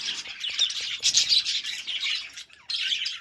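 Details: Budgerigars chattering in a dense, busy warble of high twittering and scratchy chirps, with several quick bursts overlapping and a short pause near the end before the chatter resumes.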